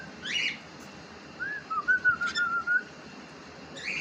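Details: Whistling from a pet cockatiel: a brief chirp, then a long wavering whistle that dips and rises in a run of quick pulses, and a short chirp at the end against low room noise.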